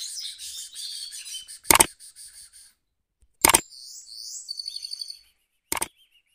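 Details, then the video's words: Goldfinch mule singing in a cage, short twittering phrases and a fast beaded trill, interrupted three times by sharp loud knocks. "mule goldfinch rolling on cage"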